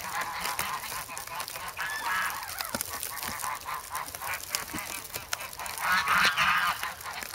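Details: Grown goslings in the snow at Sloterpark, Amsterdam, February 3, noisy and eager for bread; quick, fairly regular nasal honks and quacking notes, about four a second, swelling into a louder harsh burst near the end.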